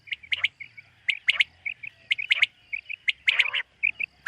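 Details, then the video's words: Common quail calling in the morning in a summer meadow: short whistled notes near one pitch, in quick overlapping bursts with sharp clicky strokes, roughly once a second, several voices mixed together. "Common Quail. Bird sounds from summer meadow |suba batair ki awaz 2023 | morning batair 2023"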